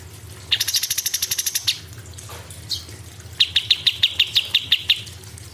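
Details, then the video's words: Cucak cungkok singing in a fast rapid-fire style: a buzzy high rattling burst of about a dozen evenly spaced notes, a pause, then a second, slower series of sharp high pulses. "CUCAK CUNGKOK ISTIMEWA GACOR"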